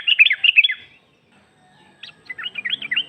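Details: Calling female sooty-headed bulbul used to lure a male: a short burst of quick bubbly chirps, a second of quiet, then a few high separated notes leading into another looping chattering phrase.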